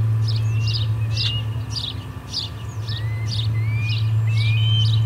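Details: Osprey at a nest during a fish delivery, the third fish of the day, in August 2020: a series of high, thin, upslurred whistled chirps repeated roughly every half second over a steady low hum.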